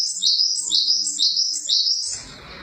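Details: Java sparrow giving a loud run of sharp, high tinkling chirps in regular downward-stepping phrases roughly twice a second, ending abruptly in soft background hiss.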